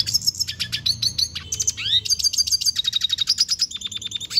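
A lesser goldfinch sings a fast, high twittering song of sweet slurred whistles, rising notes and rapid buzzy trills, with no other sounds.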